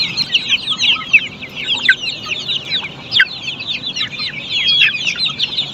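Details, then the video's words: Black Australorp poultry flock on a farm keeping up a continuous chatter of high, short chirping clucks from many birds at once, some louder notes standing out around the middle, over faint low-pitched farm noise. "black Australorp chicken poultry farm"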